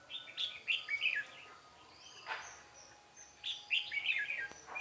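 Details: Red-whiskered bulbul singing at a trap site in Vietnam, 13 March 2017: two rapid bubbling phrases of rising and falling whistled notes separated by a brief knock and a quiet gap.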